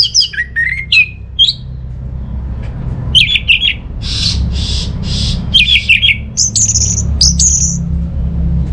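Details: Orange-headed thrush song used to prompt home birds that are not singing: varied swooping whistled phrases, some harsh hissing bursts, then high sharp notes, over constant low hum.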